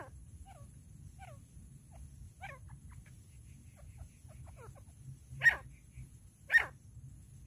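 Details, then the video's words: A female jungle grey francolin gives soft, falling notes about once a second, then two loud, harsh calls a second apart, over a low rumble. "jungle grey francolin female original clear sound"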